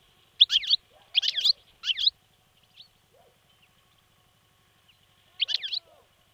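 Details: European goldfinch caught on 28 December 2011 near Stolac, not yet in full form or song: three quick clusters of high, twittering chirps, a pause with faint soft notes, then one more twittery burst.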